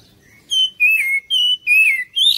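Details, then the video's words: Oriental magpie-robin song used to lure other birds into singing and responding: clear, loud whistled notes, each sliding downward or upward, delivered in a steady series of five phrases with short gaps. "PANCINGAN KACER ANTI BISU DI JAMIN CEPAT RESPON GACOR"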